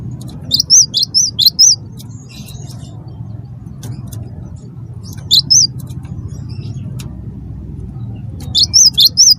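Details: Lure song of a cinereous tit (wingko) to get other birds singing: three bursts of rapid, high, rising-falling whistled notes spaced a few seconds apart, with low droning noise underneath.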